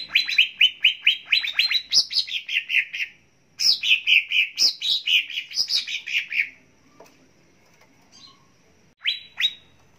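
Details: Cucak ijo (greater green leafbird) training song: a rapid sequence of sharp chips running into fluid, high warbling, a brief gap, a second long warbled phrase, then near silence broken by one final chip.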